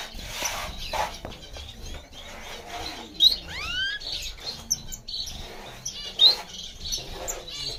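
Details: Diamond firetail finch: scattered short, high chirps with a few sweeping whistled notes in the middle, over a steady rustling and scraping background.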